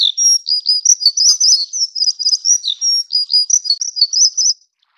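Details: A plumbeous redstart (subspecies affinis, endemic to Taiwan) delivers a continuous, high-pitched, jingling sequence of quick twittering notes broken by occasional downward slurs, lasting about four and a half seconds, with nothing else audible.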